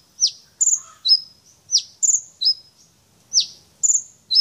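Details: A champion brown-throated sunbird runs through its learned phrases. Piercing high notes drop steeply, then give way to brief flat whistles and stuttered double chirps, with short pauses between the bursts.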